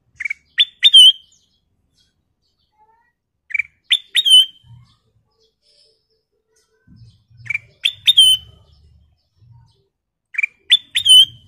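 Ruby-throated bulbul giving short bursts of bright, liquid chirps that rise and fall, about every three seconds, with a few faint low knocks between.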